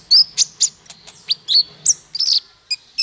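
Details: Male konin song, used as a training tutor for songbirds: sharp, high chirps and short down-slurred whistles spaced about every quarter second, with a faint low hum beneath.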